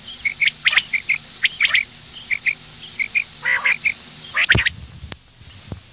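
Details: Female common quail calling at morning. Short, high, repeated peeps mix with scratchy rasping bursts, ending in a louder broadband click and a brief thump near the close.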